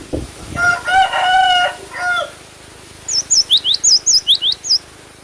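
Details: Cinereous tit singing a rapid series of about eight high, wavy whistled notes in under two seconds, following a loud rooster crow earlier in the recording.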